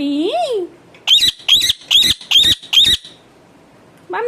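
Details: Pet talking parrot: a short rising-then-falling voiced word, then five sharp, buzzy chirps with a whistled edge, evenly spaced about every half second, and a final voiced syllable after a pause.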